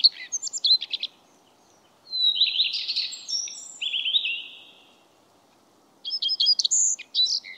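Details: Common redstart, Phoenicurus phoenicurus: high chirping notes, then a long, scratchy, buzzy warbled phrase, a pause, and a fresh burst of quick repeated high notes.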